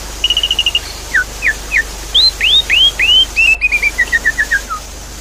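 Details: Lure song of a Javan pied starling for a bird that has gone quiet, with water sounds: a fast chattering series of short notes, dropping whistles, arched rising calls, then a descending string of chips over steady hiss.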